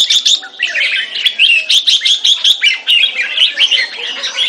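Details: Red-whiskered bulbul, a caged competition bird in display, delivering rapid chattering song: clipped whistled notes and buzzy chirps repeated several times a second without pause.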